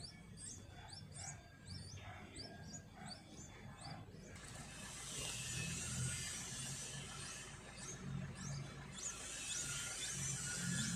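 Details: Yellow-vented bulbul (Pycnonotus goiavier) at a backyard nest during parental care, giving quick, high, hooked chirps about four times a second, until a steady rushing noise like rain drowns them out after a few seconds.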